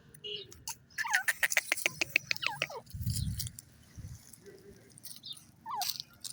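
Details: Grey francolin (teetar) calling: a quick run of about a dozen harsh, ringing notes packed into under two seconds, then a low thud and one brief squeaky note near the end.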